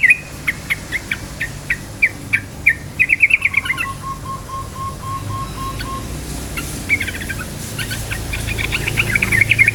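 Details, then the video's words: Yellow-vented bulbul with rapid 'cukcuk' song, played to provoke other bulbuls: a steady string of bright chips and a fast trill, a separate lower evenly repeated piping note, then more busy chattering. "suara KICAU burung trucukan gacor cukcuk ropel, pancingan bagus trucuk jadikan trucukan ropel EMOSI"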